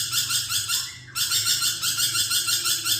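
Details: Lorikeet in full, energetic song, recorded as a training track for magpie-robins: dense, continuous, rapidly pulsing high chatter with a brief break after one second, over a steady low hum.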